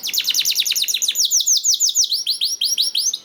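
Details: Singing canary used to coax other canaries into song: a quick run of sweeping notes repeated about three per second, shifting into slower, fuller downslurred whistles.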